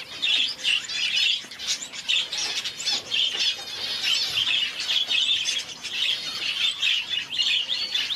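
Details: Red-faced and blue-faced parrot finches give a dense, overlapping stream of thin, high chirps and short squeaky notes, with several birds calling at once and little else audible.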